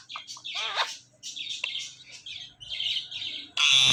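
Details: Speaking parrot calling "Mithu", producing high, grating, word-like bursts separated by short pauses, ending in a sudden loud screech.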